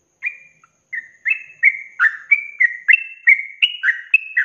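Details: Sooty-headed bulbul kept for birdkeeping, singing 'ropelan': a couple of separate whistles, then a fast run of fluty notes, many doubled with a high and a lower part, increasingly loud, in a quiet setting.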